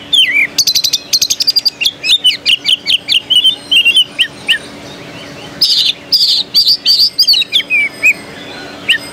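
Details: Contest-singing Oriental magpie-robin, caged, Jakarta Cup 2015 in Jakarta: long run of quick repeated chips and fluty slurred whistles, a brief pause, then a fresh burst of rich high notes and trills, with a steady low hum underneath.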